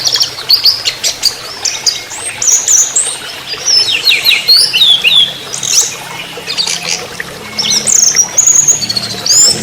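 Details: Dense, varied trotol song of an orange-headed thrush: continuous high chips, slurs and quick trills tumbling together without pause across the whole stretch.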